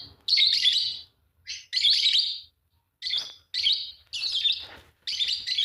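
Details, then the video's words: Fischer's lovebirds, a green pair, chirping and singing in a busy run of about seven harsh, buzzy chirps of varying length, with faint clicks underneath. "Lovebird singing and chirping sound, green fischer pair"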